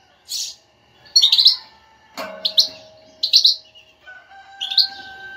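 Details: Goldfinch batbata meant to excite a non-singing goldfinch into song: clusters of sharp high twittering notes, one loud broadband clatter midway, and steady tonal humming lines running beneath the later bursts.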